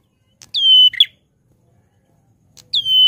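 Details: Grey prinia singing loudly and vigorously: a bright, ringing whistled note falling then holding steady, snapped off by a harsh buzzy chirp, then repeated about two seconds later against near silence.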